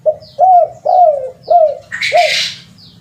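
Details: Spotted dove lure call: quick, regular coos repeating about every half second, a brief noisy burst midway, and thin high chirps from another bird.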